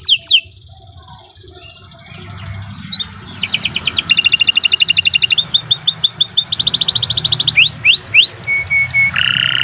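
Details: Canary song meant for training young birds: after a quiet start, rapid rolling trills build up, then rising slurred whistles, a flat whistle and a buzzy ending.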